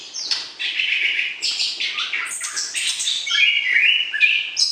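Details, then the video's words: Caged white-rumped shama being paired for breeding sings to excite the opposite sex: loud varied whistles mixed with harsher chattering notes, phrases tumbling rapidly in a continuous stream. "PERJODOHAN Murai Batu, PANCING Birahi Lawan Jenis"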